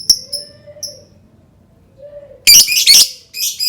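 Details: Lovebird sound used to provoke other birds: short high chirps, then a burst of dense harsh chattering around the middle and a brief final chatter.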